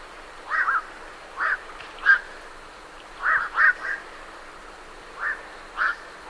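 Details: Birds leaving a night heron roost give gruff croaks, some in quick pairs and triplets, then single calls, with short pauses between bursts.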